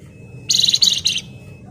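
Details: Flamboyan bird in a short rapid 'ngebren' phrase, shrill and tightly packed: three quick clusters of high, buzzy, stuttering notes within under a second, over a faint steady whine and low hum.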